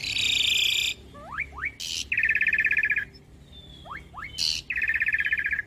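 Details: An Asian pied starling (Sturnus contra) gives a varied song of loud buzzy rattles at a high pitch, sharp rising slurred whistles and bursts of harsh noisy notes.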